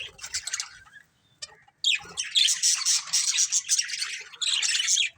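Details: Budgies in a family group: a few soft chirps, a short pause, then a long, busy stream of overlapping buzzy chatter and squawks that continues to the end.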